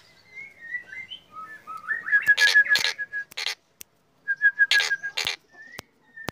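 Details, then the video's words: Lively black drongo song in the morning, opening with soft, falling whistles that lead into fast strings of short, even notes broken by rough, buzzy bursts, followed by a brief pause. "Srigunting hitam gacor"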